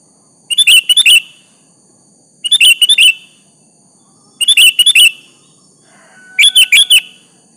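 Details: Lively sooty-headed bulbul calling a rival to respond, giving four cheerful gurgling phrases of several quick notes, one roughly every two seconds, over a faint background hum.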